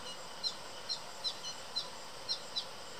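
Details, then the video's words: An American goldfinch in a backyard tree, where one goldfinch fed another between thistle-feeder visits, begs for food with short high chirps, six in three seconds at an uneven pace, over steady hiss. "American Goldfinch Chirping For Food"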